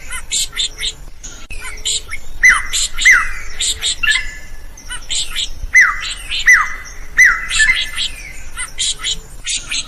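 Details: Drongo singing vigorously, a recording used as a master to train other songbirds; loud downslurred whistled notes mixed with harsh high chatter, in bursts roughly every second, with quieter pauses between.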